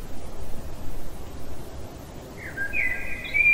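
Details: Common blackbird singing at night; after a quiet stretch of low rumbling background, a short fluty phrase begins, sliding up into a clear sustained whistled warble that runs to the end.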